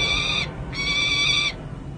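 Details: Juvenile peregrine falcons at a city hall nest ledge in San Jose, June 2024, during play and feeding; two long rasping wails, the second longer, against constant low rumbling noise.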